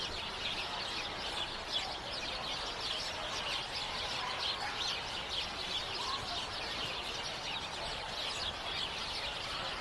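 A dense chorus of house sparrows: many overlapping short, bright chirps running together without pause into a steady chattering wash.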